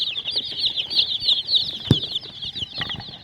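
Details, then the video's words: Shrill, busy peeping of many colourful hen chicks fills the clip, a steady high twitter with one soft thump in the middle. "Hen Chicks Colour full Baby Of hen Chirping Sounds"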